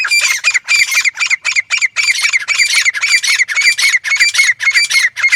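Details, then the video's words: Grey francolin, or gora teetar, in a hunting call. A continuous, rapid run of shrill, grating notes follows quickly on one another at a steady level throughout. "گورا تیتر ۔۔۔۔۔ شکار کے لئے بہترین آواز | Grey Francolin"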